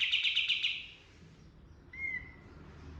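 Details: Pied triller song fragment: the end of a loud buzzy trill, a quiet gap, then a single sharp whistled note, over a low rumbling background.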